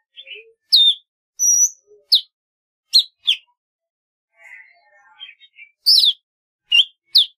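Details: Golden-fronted leafbird singing a varied sequence: sharp high downward notes, a thin sustained whistle, clipped chips and a soft twittering passage between louder phrases.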